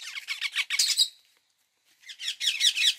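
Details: Indian ringneck parakeet giving rapid, harsh chattering screeches in a continuous run, a short silence, then another burst of loud grating squawks.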